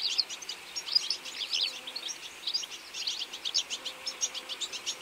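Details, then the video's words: Goldfinches in a feeding flock in autumn, continuous high twittering and chirping from several birds, slightly softer and more blurred, with rhythmic bursts toward the end. "Goldfinch beautifull birds in autumn"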